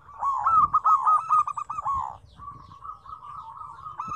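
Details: Zebra dove song, a lively mix of several birds in five combinations of differing tones: a loud, fast, rolling series of staccato cooing notes lasting about two seconds, then a softer, even, continuous run of similar notes.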